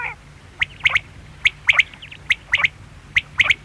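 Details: Bright, clipped quail phrases of one note then two fast notes, given in a quick run of about five repeats over a faint background hum.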